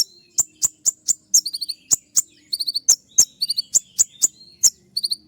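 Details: Kolibri ninja (Van Hasselt's sunbird) giving dense, sharp shooting notes: quick series of high clicking ticks mixed with short bursts of shrill twittering, busy and nearly continuous.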